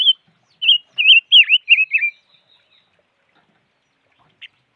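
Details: Short wavering whistles from a five-coloured bird come in quick succession for about two seconds, one with a pronounced downward dip. A few faint chips follow after a quiet gap.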